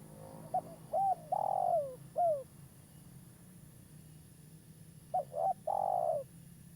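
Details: Local spotted dove, an active caller used to lure birds for trapping: one full cooing phrase ending in a falling coo, a pause, then a second phrase cut after its long drawn coo; low hum throughout.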